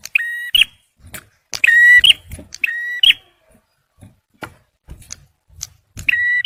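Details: Male bar-winged prinia song, used for luring and prompting stressed birds. Four buzzy, harmonic double notes, each a steady tone ending in a sharp bright flick, are separated by uneven pauses. Faint clicks and rustles fill the gaps.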